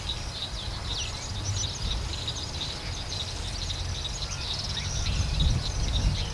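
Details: Cape weavers at Vryheid, South Africa, on 2 December 2011 keep up busy, buzzy, scratchy chattering with short overlapping sizzling notes over a low rumble of wind.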